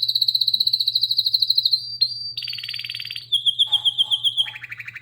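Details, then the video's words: Canary singing a rapid pulsed trill of about fifteen notes per second, then a dense buzzy section and a drawn-out descending trill ending in lower rolled notes; steady low hum. "Canary Singing"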